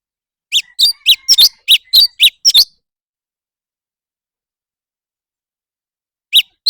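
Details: Leafbird singing in a contest: a rapid string of about ten bright, high chirps over two seconds, a long silence, then two more chirps at the end. Faint thin whistling lies under the first run.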